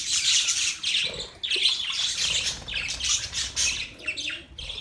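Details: Pet budgerigars chirping and chattering in a dense, continuous warble of high, scratchy chirps and squawks that rise and fall, with only brief pauses between bursts.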